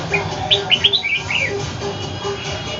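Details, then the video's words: A home-kept red-whiskered bulbul clashes with a wild bird in Ho Chi Minh City. A quick string of five or six rising, slurred whistled notes comes early on, then quieter chirps over a low hum. "chao mao nha giao chien voi chim ngoai hcm"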